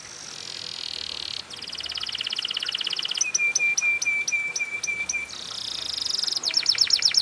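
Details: Canary lure song in the luxurious cengkok mewah style: high buzzy trills, then a long run of rapid clicking notes over a steady low whistle, ending in quick descending sweeps.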